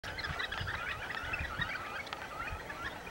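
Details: Fulvous whistling duck, the pato siriri colorado, giving clear whistled calls scattered throughout, short notes and slurred whistles around mid pitch from several birds, with low thumps and rumble underneath.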